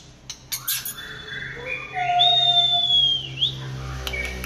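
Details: White-rumped shama singing in the late afternoon: a few short notes, then a long, clear, steady whistle held for about a second with a lower tone beneath it, ending in a brief upward flick and scattered clicks.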